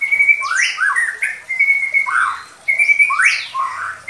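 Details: Loud Medan White-rumped Shama lure song for young birds: three similar phrases, each a bright level whistle that breaks into sweeping rising and falling slurs, repeated about every one and a half seconds.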